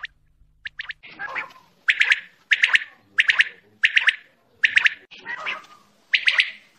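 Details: Quail giving fast calls: short bursts of clipped, rattling pulses repeated about every 0.6 seconds, with rougher, lower churring notes between some bursts.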